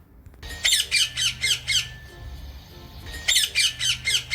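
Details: Parrot screeching in rapid shrill bursts, about four squawks a second in two groups of five with a quieter gap between them; faint background hum.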